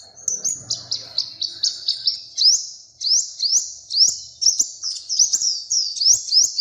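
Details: Small colourful bird gives high chirps that turn into a steady run of sharp rising whistles, each one quickly repeated, with faint rustling early on.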